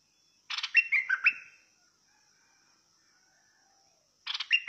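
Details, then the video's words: Bulbul of the fierce song type uttering a quick burst of choppy, falling notes, silence for nearly three seconds, then the next phrase begins; steady thin hum throughout. "นกดอกแตง สายดุ!! Burung merbah lekir bay hoach thom Gacor Bahanan"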